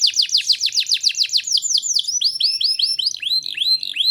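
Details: Canary in full song, used as a tutor to stimulate young canaries to start singing: a fast train of high, downslurred notes at about four per second, then slower, longer swept whistles with overtones, and a clean background.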